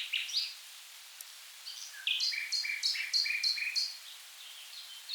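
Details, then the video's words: Common nightingale singing in the river Rhine wetlands, south Germany: a rich phrase, then a fast run of paired high and lower notes, repeated about five times in two seconds, over faint background hiss. "Nightingale Birdsong"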